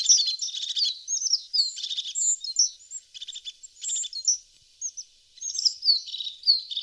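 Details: Continuous high-pitched twittering from a tit, mixing falling slurred whistles with buzzy, stuttering trills, sung almost without pause across roughly seven seconds.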